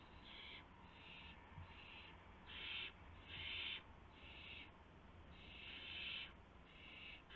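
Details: Owl at the nest shortly after 1:00 AM, March 24, 2016, with prey being delivered. Repeated scratchy hissing screeches alternate with short gaps, and the longest burst lasts almost a second.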